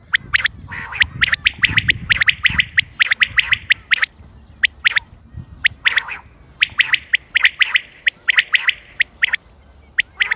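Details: Common quail on 28 May 2025, recorded for hunting use: rapid clusters of sharp, bright notes repeated almost without break. A short gap falls midway, and a low rumble sits underneath early on.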